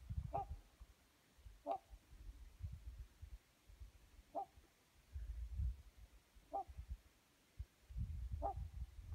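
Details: One of a pair of Trumpeter swans gliding across a lake in Alaska: five short, nasal, horn-like honks about two seconds apart, over low rumbling wind or water noise.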